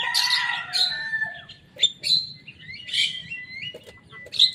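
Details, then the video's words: Young Javan myna copying rival birds' songs: harsh rasping phrases mixed with thin whistles and a steady high tone, separated by short pauses, with a low background hum. "Jalak kebo muda gacor bongkar suara lawan."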